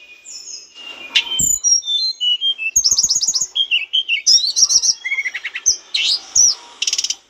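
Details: Mountain bush lark singing energetically on a training recording for cage birds: a rapid, varied run of high whistles, sweeping slurs, buzzy trills and sharp chirps, packed with few pauses; occasional faint clicks below.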